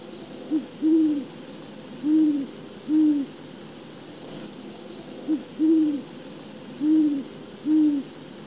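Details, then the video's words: Great Horned Owl, heard in winter in eastern North America, gives its iconic hooting call: deep, soft hoots in two rhythmic series, a short note followed by longer ones, over a faint background hiss. "the Great Horned Owl makes an iconic hooting call"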